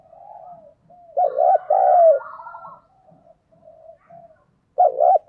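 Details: Decoy spotted dove calling wild doves: soft murmured lead-in notes, a loud double coo with a longer trailing note, quiet phrases, then another double coo.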